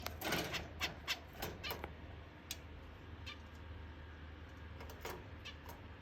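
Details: Zebra finch calling just after waking up: quick bursts of short, nasal, harmonic-rich notes packed into the first two seconds, then a few sparse single calls later, all fairly soft over a steady low hum.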